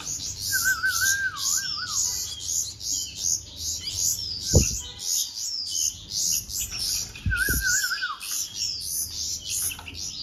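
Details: Bulbul nestlings begging while hand-fed: continuous shrill, rasping high chirps in rhythmic bursts, with two wavering whistled tones and a couple of low knocks.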